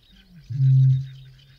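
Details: Single deep boom of a Eurasian bittern in the UK: a short, quiet low intake sound, then a loud, steady, hollow hum lasting about half a second that fades out, with faint distant small birds above.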